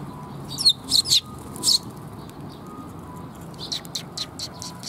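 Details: Sparrows arriving to be fed at a perch, recorded 7 June 2021: three loud high chirps close together, followed by a run of softer rapid twitters, with a low constant rumble beneath.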